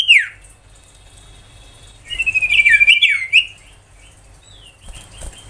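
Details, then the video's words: Ashy tailorbird singing in the 'tembakan' style, used to bring young tailorbirds into song: one falling note, a quiet stretch, then a rapid burst of jumbled chirping and a few faint later notes. "Suara tembakan sirtu"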